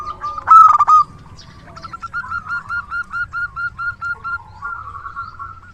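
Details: Local zebra dove with a big voice, kept as a trusted decoy, gives one loud rich coo, then a steady string of about a dozen short, bouncing coos at even spacing, with low background rumble.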